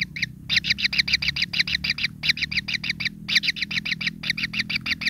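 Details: Greedy kingfisher chicks in a nest, pin feathers starting to grow, beg with fast, harsh, high-pitched chattering notes, about three or four per second in runs broken by short gaps, over a low background rumble.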